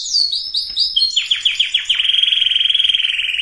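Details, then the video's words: Canary song for preparing females and males to breed: a few descending whistled notes, then a quickening series of chips running into a fast even trill. "اقوى وافضل تغريد كناري لتجهيز الاناث وتجهيز الذكور canary singing"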